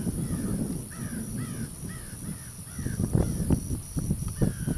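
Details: American crows soaring give a series of about five short, arched cawing notes, roughly two per second, over a low rumble of wind, followed by scattered knocks and a faint steady high hiss.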